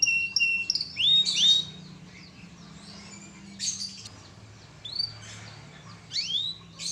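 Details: Canary song in short bursts separated by quiet gaps: clear whistled notes and downward-sweeping slurs, some rising phrases, with a faint low hum beneath.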